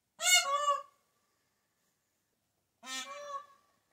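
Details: Peacock giving two loud, harsh honking calls rich in stacked harmonics, each about two-thirds of a second long and spaced over two seconds apart, in otherwise quiet surroundings.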